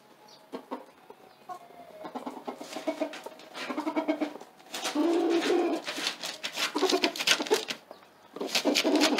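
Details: A rooster gives low, rhythmic clucking and soft purring tuk-tuk notes, calling a hen to lay an egg on top of a tarp; rustling and scratching sounds run underneath.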